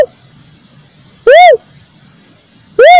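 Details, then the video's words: Lure recording of a cuckoo-dove (uncal) calling. Two loud, arched, harmonic-rich notes about one and a half seconds apart, separated by quiet with a faint low hum. "suara burung uncal untuk pikat 100% ampuh||suara burung uncal durasi panjang"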